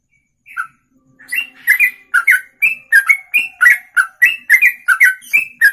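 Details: Ropelan song from a songbird, sung in one breath for over two minutes: after a lone note and a short pause, bright whistled slurs build into a steady, fast, unbroken rattle of rising and falling notes.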